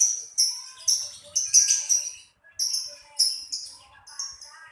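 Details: Lovebird uttering sharp, high-pitched squeaks in separate bursts about half a second apart, some doubled, with one short silence midway and a quick stuttering pair at the close.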